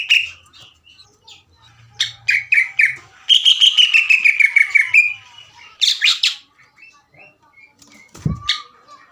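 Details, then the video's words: Greater green leafbird lure song: scattered sharp high notes, then a quick rattling 'ngekek' run falling in pitch, more clipped squeaky notes and a brief knock near the end. "PANCINGAN DAN MASTERAN CUCAK IJO GACOR NGEKEK PANJANG DAN TEMBAKAN MESIN JAHIT AGAR EMOSI"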